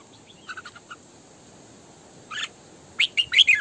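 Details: Decoy female red-whiskered bulbul singing to train other bulbuls to sing in the morning. Soft quick chips come first, then a loud, rich, rolling warbled phrase near the end.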